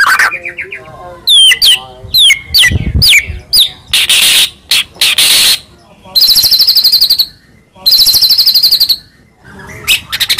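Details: Loud song of a white-rumped shama, the murai batu of Medan: downslurred whistles, harsh buzzy bursts and two long rapid rattling trills separated by short silences.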